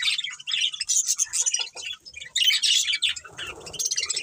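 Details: Several budgies chatter in lively bursts of high, scratchy chirps and warbles separated by brief lulls, with a low murmur late on.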